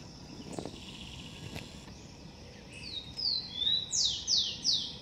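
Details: Blond-crested woodpecker calling by its nest in a garden. After a few faint clicks comes a burst of five or six piercing high notes in the last two seconds, each falling steeply in pitch and spaced about a third of a second apart.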